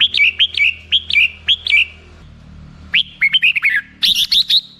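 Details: Red-whiskered bulbul singing: a run of quick, repeated, downslurred whistled notes, a short pause, then a lively chattering phrase of bright chirps.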